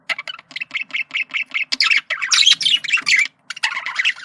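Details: Male budgerigar's communication sound: a run of evenly spaced short chirps about five per second, then louder harsh scratchy squawking and rapid chatter.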